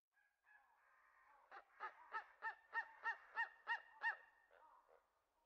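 A Steller's sea eagle gives a run of about nine harsh, honking barks, roughly three a second, opening and closing with softer drawn-out notes.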